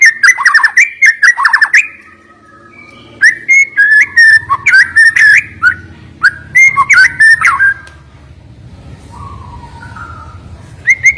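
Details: Murai batu, the white-rumped shama, singing sharp 'nembak' song: quick bursts of whistled notes with clicks for about eight seconds, then quieter soft whistles over a low background hum.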